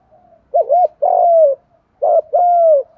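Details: Spotted dove kept as a trapping decoy, cooing in the 'giọng thổ' style: two low, mellow phrases, each a short wavering coo followed by a longer, smooth drawn-out note, with near silence between them.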